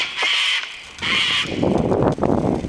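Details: Sulphur-crested cockatoos flying overhead at Billamari near Cowra, Australia give two loud, harsh, grating screeches about a second apart, followed by a man talking.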